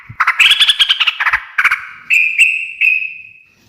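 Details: Energetic 'gacor ngekek' singing of a sooty-headed bulbul, said to draw replies from other birds: a fast stuttering chatter of clipped notes, then three clear ringing notes that trail off.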